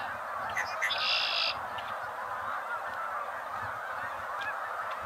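A Red-winged blackbird gives one bright, buzzy trill lasting about half a second, set against a dense, steady chatter of many calling birds.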